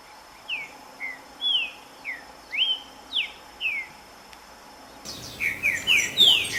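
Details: Green-winged saltator in the wild giving a string of clear, falling whistled notes spaced roughly half a second apart, followed by a denser, louder run of slurred whistles amid noisier background.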